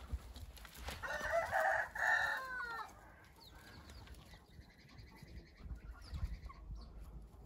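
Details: Hint rooster crowing: a strong, broken crow in two bursts that ends in a falling drawl. Faint crowing from other birds and low rumbling follow.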